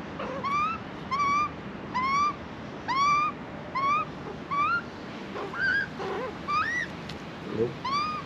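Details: Hungry juvenile Australian magpie begging to be fed in Australia: rising, whistled squeaks repeated about once a second, a few rougher notes near the end, over a low continuous background rumble.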